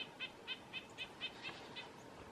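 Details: A male red-breasted nuthatch (Sitta canadensis) in a bush, calling to and chasing a female of a pair, gives a quick run of about eight nasal, tinny notes, about four per second, over a soft outdoor hiss.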